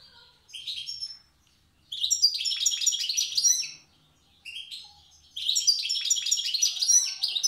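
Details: European goldfinch, wild type from Tiaret, old song style: a short opening phrase, then long runs of fast tinkling, buzzy twitters broken by brief silences, with a clear final burst.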